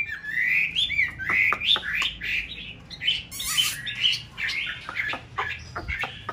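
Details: Chinese hwamei (white form) in a conservation aviary, mountain town, breeding and nest-building season with a bonded pair: continuous warbled whistles rising and dipping, interspersed with quick sharp notes and a burst of harsh sound midway.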